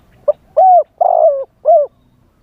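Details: Live spotted dove calling to draw in wild doves, wild-type voice: a quick soft note, then a long coo, a longer falling coo and a closing shorter coo, clear and close.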